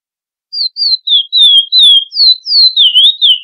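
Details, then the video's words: Classic Florianópolis song of the chestnut-bellied seed finch, a tutor song for young birds: a short sequence of clear whistles beginning with high, separate notes, then smoother slurred and rolling phrases. "CANTO DE CURIÓ FLORIANÓPOLIS CLÁSSICO: IDEAL PARA ENSINAR FILHOTES COM INTERVALO!"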